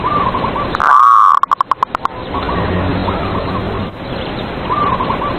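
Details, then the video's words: Zebra dove in a cage singing as a lure to rouse rivals: one strong burst of quick, evenly pulsed cooing notes, then fainter rolling trilled coos from more doves in the background. "PERKUTUT SUARA PANCINGAN EMOSI LAWAN BIKIN MANGGUNG"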